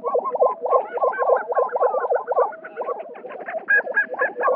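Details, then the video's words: A spring lek of lesser prairie-chickens in New Mexico: several males give overlapping, rapidly repeated bubbling, gobbling booming notes with higher cackles and chatter while fighting and displaying to passing females to win matings. "Booming and strutting for sex"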